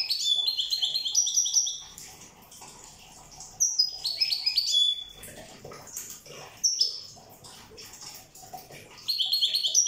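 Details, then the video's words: Corsican European goldfinch song in bursts of fast, high, liquid twittering and tinkling notes, separated by quieter gaps with faint chirps; a fresh burst begins near the end. "Chant chardonneret corse rosse"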